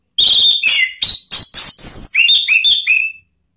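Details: Ngeplong-style lure song of an orange-headed thrush, used to provoke other birds into song: a dense chain of clear whistles and buzzy slurs, some dropping, ending in bright rising whistled notes.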